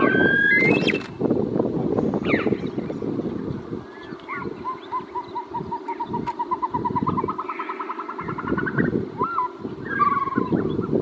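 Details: A male Caspian snowcock (Tetraogallus caspius), a high-mountain species of rocky slopes above the treeline, gives loud whistled notes, then a long run of short whistles that speeds up and climbs, over a steady low rumble of wind or engine.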